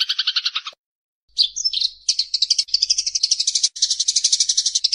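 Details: Fighting Eurasian tree sparrows as tutor sound for songbirds: a short rattle, a brief pause, then mixed chirps running into a long continuous rapid chatter.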